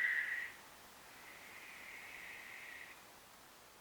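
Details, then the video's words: Western barn owl (Tyto alba) giving its screechy, noisy call: a short loud hissing burst, then a longer, fainter rasping screech lasting nearly two seconds. "The screechy sounds of barn owls"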